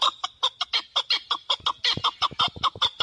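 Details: Loud, quick-fire chuk notes from a male chukar partridge, roughly three a second. Each note is harsh and clucking, and they run without pause for three seconds. The call is recorded for hunting.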